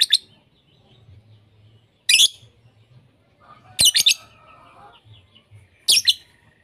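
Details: Lovebird sounds mixed into a lure recording meant to teach lovebirds sound variations: harsh, high shrieks in short bursts about every two seconds, a faint tonal whine between them, and a low background hum.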